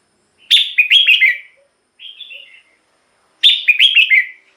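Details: Two bright, bubbling red-whiskered bulbul phrases, each of several quick up-and-down notes, framing a softer, shorter phrase in the middle; sound used to lure wild birds or excite others.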